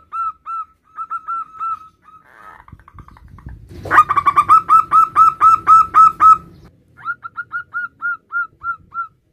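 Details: Male zebra dove of a local strain calling its mate: short, clear cooing notes repeated in rapid series, a brief loud, harsh run of coos in the middle, then quieter evenly spaced notes again; faint low background rumble.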